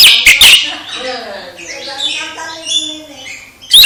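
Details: Oriental magpie-robin singing to stir another, idle magpie-robin into action: a brief loud scratchy burst opens, followed by soft, varied chattering and warbled notes, then another loud harsh burst at the end.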